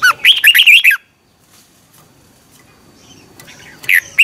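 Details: Morning practice song of a red-whiskered bulbul: one rich warbled phrase of quick up-and-down notes, then quiet, and the start of another phrase at the end.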